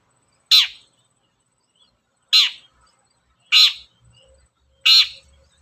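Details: Long-tailed shrike calling, played as a lure for other shrikes: four loud, harsh, rasping notes at irregular intervals of about one to one and a half seconds, with quiet background.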